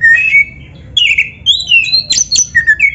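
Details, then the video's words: Oriental magpie-robin (kacer) song played as training for a captive bird: long, level whistled notes and bright sliding phrases, a few sharp clicks, ending with repeated short downslurred whistles. "PANCINGAN SUARA KACER GACOR untuk latihan‼️100% ampuh bikin KACER NARUNG BUKA EKOR DIGANTANGAN🔥"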